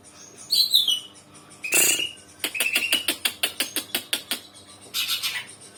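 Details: Young kacika Greater Green Leafbird (cucak ijo) in early song: a descending whistled slur, a harsh burst, then a rapid train of about ten sharp clicking notes ending in a scratchy rasp.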